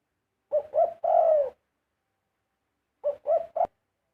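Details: Spotted dove cooing: one full phrase of two short coos and a long falling coo, then a second phrase clipped off by a sharp click.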